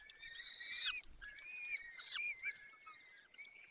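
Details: Peregrine falcon nest, Barycz Valley, 30 April 2020, 14:28, while the male brings prey and feeds the young. A loud, drawn-out whine bends downward, then softer wavering calls continue at a lower volume.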